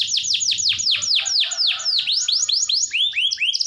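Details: Domestic canary in strong song, offered to coax reluctant canaries into singing: rapid series of loud downward-sweeping whistles, about four per second, shifting to shorter rising notes near the end.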